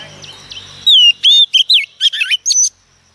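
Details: Wild-caught female Oriental magpie-robin singing to excite male birds. After a soft start with faint low hum, a run of loud pure whistles follows, some curving downward, broken by scratchy high chirps, in a fast varied phrase.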